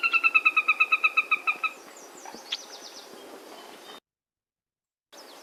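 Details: A Sora, breeding in Newfoundland, gives its loud descending whinny, used by both sexes to defend territory and keep in touch: about fourteen bright notes in under two seconds, slowly fading, then faint softer calls.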